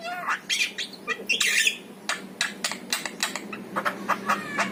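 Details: Song of a yellow-eyed Javan myna, used to coax caged mynas: rasping bursts, one long noisy screech, then quick clicking notes and short whistles over a constant low hum.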